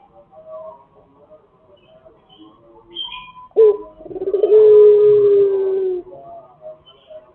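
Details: Lure crow of a gacor Pelung chicken: after a few seconds of faint background sounds, a sharp onset leads into a long, smooth, sustained tone lasting about two and a half seconds, then ends abruptly.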